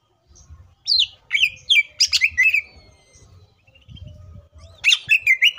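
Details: Green leafbird, locally cucak ijo, in a varied song meant to stir other leafbirds into singing: scattered sharp chirps and downslurred whistles, a short pause with faint low rumble, then a burst of rapid twittering notes.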